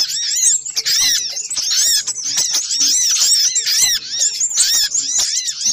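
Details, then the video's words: Little spiderhunter in a noisy lure-call compilation: dense, overlapping high squeaky chatter of arched, bouncing notes, rapid and unbroken, like several birds calling excitedly at once. "Suara pikat burung sogok ontong ribut kompilasi"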